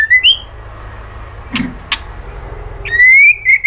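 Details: Female white-rumped shama calling the male, used to rouse a male into singing: a short rising whistle at the start and another rising, slightly wavering whistled phrase at the end, with two dry clicks in between over faint background hum.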